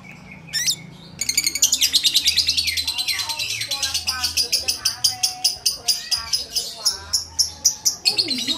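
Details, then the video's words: Lovebird held by a person, giving loud, high, buzzy chatter in rapid pulses for several seconds, with whistled sliding notes mixed in and a low hum beneath. "NGUDANG LOVEBIRD SAMBIL DI GENDONG"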